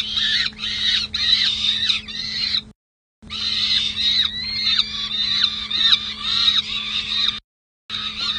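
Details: Peregrine falcon chicks, sisters, on a City Hall nest box in San Jose, 27 May 2024, nest-camera audio. Rasping wails that rise and fall repeat in quick succession, over a constant low hum, broken by two short silences.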